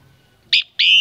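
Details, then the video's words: Common myna singing at a family home during Tết 2018: a short, harsh whistled burst, then a brief pause and the start of a longer, loud, steady whistle that is cut off abruptly. "Tiếng hót chim Cưỡng"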